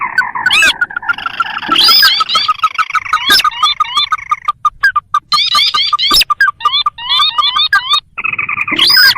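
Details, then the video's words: Sintar field and swamp bird calls used as a trapping lure: dense overlapping rising notes and a steady chattering series, with brief loud upward sweeps and clicks throughout. "Suara pikat burung sintar"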